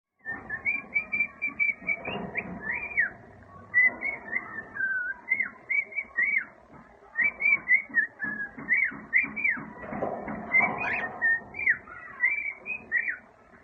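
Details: A pet cockatiel whistles learned tunes, "If You're Happy and You Know It" and "September", in clear, bouncing phrases of rising and falling notes.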